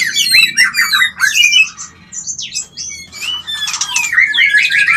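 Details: White-rumped shama mating call used to stimulate mating: tumbling whistled and squeaky notes with harsh rasping bursts, a short lull, then a rapid warbling run of descending whistles.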